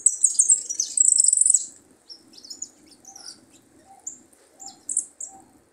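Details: Young goldfinch practising, marking a good prio: a rapid, dense, high liquid twitter for nearly two seconds, then spaced sharp chirps and a few softer lower notes, roughly three or four a second.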